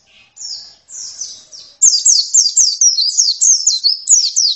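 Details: Oriental white-eye: a few quiet, drawn-out high notes, then a loud run of crisp, evenly spaced downslurred chirps, about four per second.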